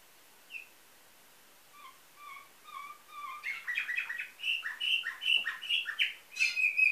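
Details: Canary with nightingale-type song, Varna, Bulgaria, 2013: quiet spaced low whistles build into loud rapid trills and bright piping notes, ending in a high sharp flourish.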